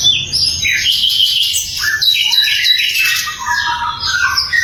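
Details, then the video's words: Sikatan londo flycatcher singing in a training recording for songbirds: rapid, high, twittering phrases of short bright notes, with several lower descending slurs mixed in, continuous and lively. "SIKATAN LONDO GACOR - SUARA LANTANG & SUPER JERNIH"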